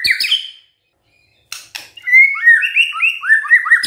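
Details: White-rumped shama in gacor song: a warbled whistle, a silent gap, two rasping bursts, then a long fast stream of rising and falling whistled notes.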